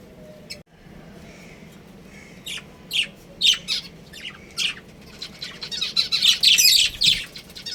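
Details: Pet budgerigars, a breeding pair at home, chirping in quick scratchy bursts that grow denser into a rapid chattering warble toward the end, after a quiet start.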